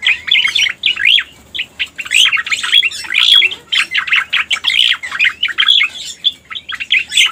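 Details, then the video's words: Pied bushchat lure sound: loud, harsh chirps and short whistled slurs repeated rapidly in uneven clusters. "Suara Pikat Burung Cica Koreng | Masteran Cucak Koreng Full Ampuh"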